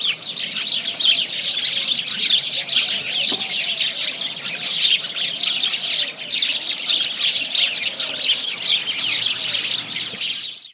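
Starlings chattering in a dense, continuous mass of high squeaks, clicks and whistles, many birds at once with no pause throughout.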